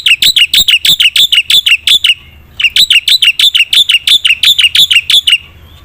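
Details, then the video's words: Black-winged myna pouring out energetic gacor full isian song to rouse silent birds: two fast bursts of rapid, shrill, chattering notes separated by a brief pause. "suara burung jalak putih gacor full isian"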